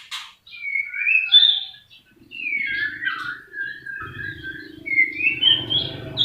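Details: Singing white-rumped shama delivering sliding, high whistled notes and twisting warbles, with a low electrical-sounding hum entering partway through.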